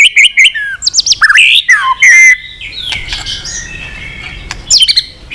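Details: White-rumped shama performing a long, fight-provoking song. About two seconds of loud slurred whistles dipping and rising come first, then quieter chatter and a final high burst.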